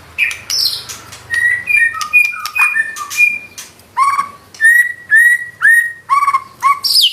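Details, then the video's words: Lively white-rumped shama delivering 'nembak' shots and 'isian' fill-in phrases: clear, pure whistles at steady pitches, then a regular series of short, loud, rising-then-falling whistled notes repeated roughly twice per second. "Murai batu nembak isian gacor"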